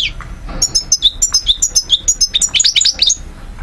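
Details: European goldfinch in Algeria, 2012, singing a rapid, fairly even series of bright high notes, about two per second early on, ending in a denser tinkling flourish.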